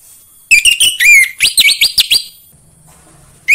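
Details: Orange-headed thrush song for prompting other orange-headed thrushes to sing: a rich sequence of loud whistles followed by a run of five quick, high, rising-and-falling notes, then silence and a new phrase starting.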